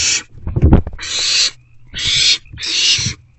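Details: Owls in a nest box as rodents are delivered in the evening of 29 March 2024: loud thumping and scuffling, then three long, harsh hissing screeches.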